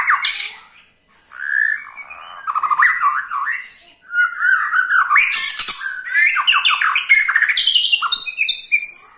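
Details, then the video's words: White-rumped shama giving its ketrekan, a call said to make any other shama sing along: loud harsh squawking chatter and rapid scratchy notes mixed with short whistles, pausing briefly near the start and at four seconds. "KETREKAN SAKTI!! || MURAI BATU MANAPUN PASTI TIDA MAU DIAM IKUT GACOR"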